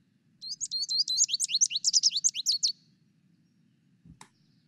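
An American Goldfinch sings a quick, high, varied twittering phrase of rapid sweet notes lasting about two seconds, over a low steady hum, then a single click.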